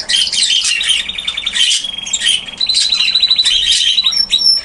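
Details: Two canaries in an aviary exchange song phrases nearly nonstop, ping-ponging them over a young red factor canary so he can pick up the song; continuous high rolling trills and rapid chattering notes, one long even trill in the second half.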